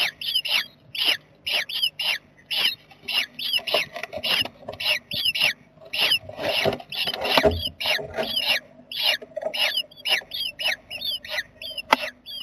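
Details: Jackdaw family in a nest box on 7 May 2020, a box also visited at night by a barn owl, giving a rapid, overlapping run of short, harsh, nasal calls, several birds calling about twice a second with faint high ticking behind.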